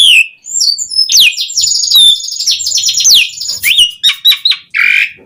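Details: Asian pied starling singing vigorously as a lure for other starlings; a dense, varied run of high whistles, slurs and chattering trills, ending in short chips and a raspy burst.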